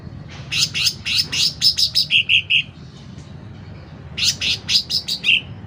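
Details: Sooty-headed bulbul singing vigorously: clusters of sharp, high chirps end in a few lower rounded notes, then the song breaks off in a short gap before another burst of quick chips.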